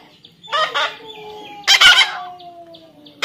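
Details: Natural calls of a baby parrot during taming: a double harsh, buzzy squawk followed by a louder rasping screech, with a thin steady whistle-like tone lingering in the background.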